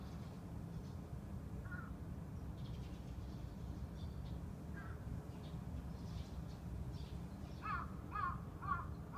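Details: Crow giving scattered hoarse 'kaa' caws, one near the start, another midway, then a quick run of three or four near the end, all faint over steady low rumble; a pet budgie freezes on hearing them.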